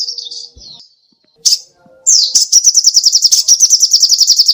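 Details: Sogoh ontong songbird singing actively, used as a tutor recording for training cage songbirds: a few thin high notes, a sharp burst, then a long rapid pulsing high-pitched trill of evenly repeated notes running to the end.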